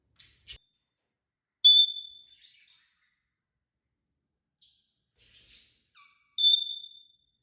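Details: Parrots, described as talking and having fun, giving two clean, high, steady whistles that fade out, with scattered soft, brief chirps between them in an otherwise quiet setting.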